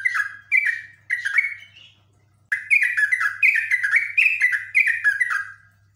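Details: Agitated Yellow-vented bulbul pouring out long rapid song runs: a few spaced bubbly phrases, a brief pause, then a dense unbroken string of liquid, dropping chirps for three seconds over faint hum.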